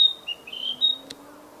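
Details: Wild Narcissus flycatcher giving a quick string of high whistles at shifting pitches, ending with a short sharp click, over faint low hum.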